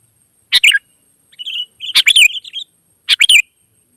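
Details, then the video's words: Sooty-headed bulbuls in the wild, described as answering one another. Three sharp chirping bursts, with softer warbled phrases woven between them, giving a call-and-answer feel. No other sounds. "suara burung gacor kutilang liar auto nyaut"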